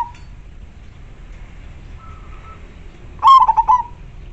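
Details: Local zebra dove with a clear, big voice, used as a lure for wild doves, delivering one loud phrase of quick staccato cooing notes near the end after a faint, thin steady tone; quiet background otherwise.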